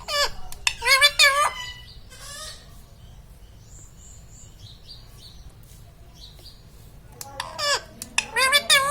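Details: Pet parrot, a green ringneck, at home: bursts of harsh squawky, warbling vocal notes with rising and falling harmonic sweeps at the start and again near the end, quiet room in between with faint high tones.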